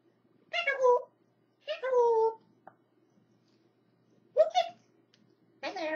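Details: A pet African grey parrot learning to talk imitates human speech in four short, word-like bursts, each voiced, mid-pitched and slightly falling, with a soft click between them in a quiet room.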